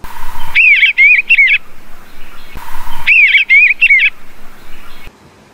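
A bluebird sings a short, soft warbled phrase of rising and falling whistles, heard twice about two and a half seconds apart, after a brief steady hum.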